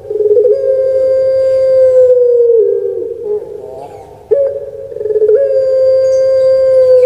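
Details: Kept puter pelung dove from Java, Indonesia, cooing: a long, steady, drawn-out humming note held over two seconds that sags slightly at its end, then a brief break before a second sustained note starts abruptly and holds firm.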